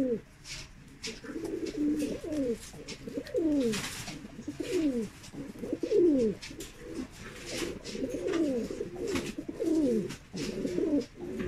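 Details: Mukhi fancy pigeons, a domestic pigeon breed, cooing steadily: overlapping low, throaty descending coos about every half second, with faint clicks and scuffling in the background.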